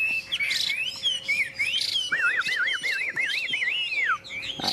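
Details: Yellow-billed caged Chinese hwamei hung outdoors on a peach tree, windy and sunny, delivering rich, varied song: bright slurred whistles, then a rapid rolling run of looping, trilled notes that ends in a falling slur.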